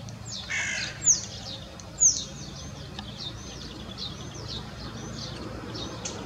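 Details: Common starling on İnönü University campus, where it lives wild: a harsh, rasping burst, then thin, sharp down-slurred whistles, two loud ones about a second apart followed by fainter repeats, over low background hum.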